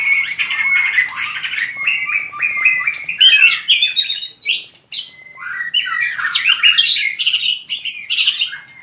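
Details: White-rumped shama singing in the fighting style (hót đấu) for training: fast, harsh chattering phrases mixed with short whistles, broken by a brief pause midway.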